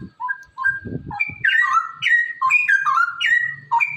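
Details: Straw-headed bulbul in a cage, its song meant to encourage other caged birds to sing: soft opening notes, then a loud run of liquid, gurgling whistled phrases with sharp upward and downward slides, over faint low knocks.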